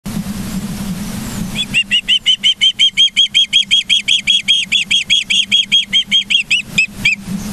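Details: Ospreys at a nest in Charlo, Montana, on 24 August 2023 around 09:29, filmed by a live nature camera: after a steady low hum, a rapid run of about twenty-five loud, whistled, slightly downslurred cheeps pours out evenly.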